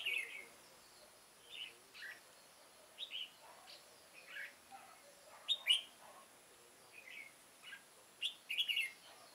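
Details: Red-whiskered bulbul used as a decoy to lure wild birds into a trap, recorded 9 September 2017; short bright chirped phrases, about nineteen a minute at irregular spacing, with a steady faint high tone behind.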